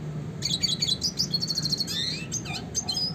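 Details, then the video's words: Dense jumbled twittering from a classic red siskin, recorded for songbird training, with fast repeated chips, buzzy phrases and a thin whistled note near the end, soft low hum underneath. "kicauan suara burung red siskin klasik gacor untuk pancingan dan masteran burung berkicau"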